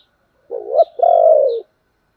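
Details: A spotted dove calls in the thổ voice, urging and calling: one short wavering throaty note, a pause, then a drawn-out mellow coo that dips lower as it ends, with thin distant chirps behind.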